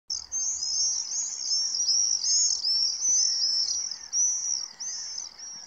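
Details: Common swifts at spring dawn over Tancat de Milia, hunting mosquitoes for their first meal of the day: shrill, buzzy screams, several birds overlapping in a near-continuous high-pitched chorus with brief rising and falling trills.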